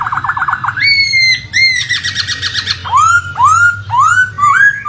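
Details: Laughingthrush (poksay) sound used as a lure for a bird that has gone silent. Quick repeated trills open into a long steady whistle and buzzy rattle, followed by loud upward-curving whistles repeated every half second.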